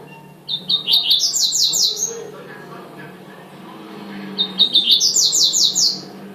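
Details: Double-collared seedeater singing two tui-tui phrases: short introductory notes followed by a fast sequence of high, ringing sweeping syllables, separated by a pause of about two seconds.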